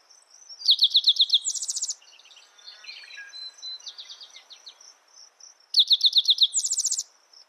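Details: Spotted towhee singing twice, several sharp chips rolling into a rapid buzzy trill lasting about a second, with faint mixed bird chatter in between and a steady insect whine behind.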